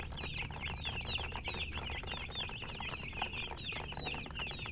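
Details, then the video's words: Baby chicks peeping, a steady stream of sharp, curling high chirps from several birds over a low hum. "MURGI Baby "Chicks Chirping" Sound"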